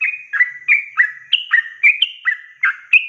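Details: Yellow-vented bulbul song meant to train young birds to sing: fast bubbling chatter of short slurred notes, some rising to higher whistled tones, roughly three notes per second.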